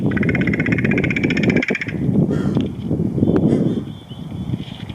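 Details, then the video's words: Crow recorded in August 2021 giving a rapid, evenly pulsed rattle for nearly two seconds, followed by a few sharp isolated clicks, over a heavy low rumble of wind or passing traffic. "Crow Making Clicking & Rattling Sounds"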